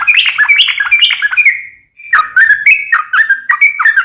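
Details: Yellow-vented bulbul (trucukan) in ropel song: a dense bubbling warble that fades out, followed after a short gap by a series of clear, slurred whistled notes in steady succession.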